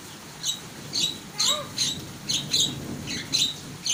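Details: Starling singing energetically, giving loud, scratchy high notes repeated about every half second, one with a short rising lower whistle, over faint rumbling background noise.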